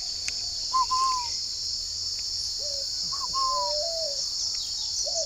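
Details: Caged spotted dove at a Ba Vì, Hanoi breeding farm in the morning: clear hooting coos, a higher note followed by a lower drawn-out one, repeated twice over a constant shrill insect hum.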